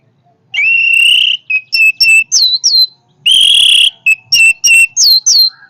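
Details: Orange-headed thrush singing a powerful song of loud, sustained, rising whistles mixed with short clipped whistled notes and sharp downward-slurred phrases.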